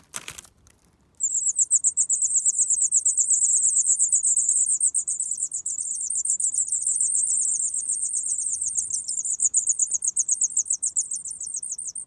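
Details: Four hungry grey wagtail chicks, fed by their parents at a nest in a farmyard in County Kilkenny, Ireland, beg with a very high, thin, rapid, unbroken stream of buzzy notes, about four per second, over a faint low murmur.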